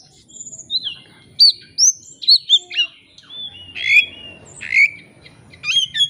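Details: Oriental magpie-robin lure song to make a rival answer and show its learned phrases. Varied upward and downward whistled slurs arrive about every half second, broken by harsh rasping notes, with a low hum in the background.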